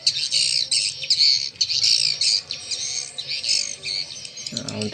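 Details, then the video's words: Swiftlet roosting lure sound for swiftlet farmers, blended from several roosting-call strains: a dense, high, continuous chatter of rapid chirps and buzzy trills, with a man's voice cutting in at the very end. "SUARA INAP WALET"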